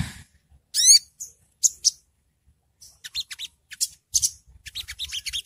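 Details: Sogo ontong, used as training audio to lure birds: sparse sharp high chirps and a descending stacked whistle near the start, then clusters of short scratchy high notes in uneven bursts.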